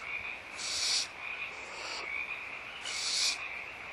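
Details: Two drawn-out, breathy hisses roughly two seconds apart from barn owls in the nest at feeding time, Audubon Starr Ranch Sanctuary, 16 March 2011, morning; quieter, with a steady thin background tone between them.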